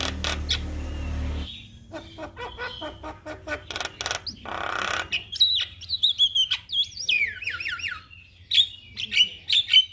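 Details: Javan myna answering a lure recording of another myna, starting with a harsh hiss, then dry clicks and rattles, then a run of sharp descending whistled slurs and squeaky notes.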